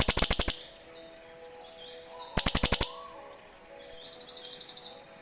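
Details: Cililin birds exchanging calls, recorded to lure birds in forest: two bursts of fast harsh ticking about two seconds apart, followed by a higher, thinner series of quick repeated notes.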